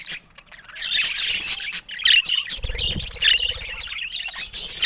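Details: Pet budgerigars of varied colours giving loud, scratchy squawks and chirping warbles in uneven bursts, with a short low fluttering sound near the middle.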